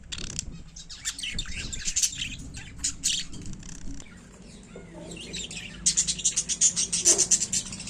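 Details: Budgerigars (Melopsittacus undulatus) chirping in quick, bright bursts of high, scratchy twitter.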